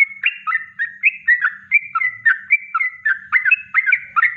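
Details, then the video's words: Yellow-vented bulbul giving a natural kongslet song for bird-training masters: a continuous stream of quick, gurgling whistled notes with sharp upward flicks, about four notes a second, with a faint hum in the background. "Masteran Trucuk Kongslet Alami"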